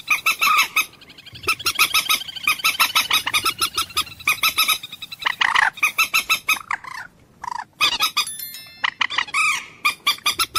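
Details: Common moorhen (Gallinula chloropus), call.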